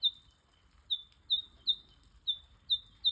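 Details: Two Eastern Yellow Robins in Australia give seven sharp, high piping chirps, each slightly falling, spaced unevenly about half a second apart over a faint low rumble.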